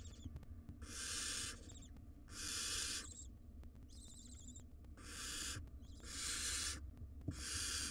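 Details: Five wild barn owl nestlings begging from their parents in a nest box: rasping hissing snores of under a second, repeated about once a second, plus one thinner chittering, stuttered call in the middle and faint clicks.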